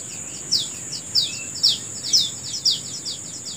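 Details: Morning birdsong in a natural setting: loud, high, falling chirps roughly every half second, some fainter echoing chirps between, set against an unbroken shrill insect buzz.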